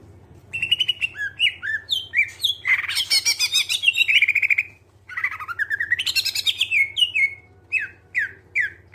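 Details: Bright greater green leafbird song meant to prompt other birds to sing: looping whistled notes, a dense raspy chatter, an upward-swooping whistle, then short repeated down-slurred notes. A low background hum is present.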